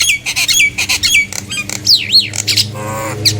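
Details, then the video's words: Nias hill myna singing to lure other hill mynas into singing: loud harsh squawks mixed with a high whistled zigzag note rising and falling twice, then a buzzy tone, with a low hum behind. "JALAK NIAS GACOR ||Untuk memancing JALAK NIAS yang lain agar ikut bunyi!!"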